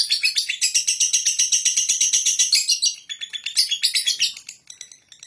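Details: Sustained shrill chattering from a lovebird in the ngekek style, roughly four harsh pulses a second, loud at first and fading into looser, softer notes.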